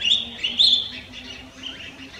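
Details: At Lugu in December 2022, a collared finchbill gives short, bright chirping notes, several sharp and slightly rising near the start, then softer scattered twitters, with a faint low hum underneath.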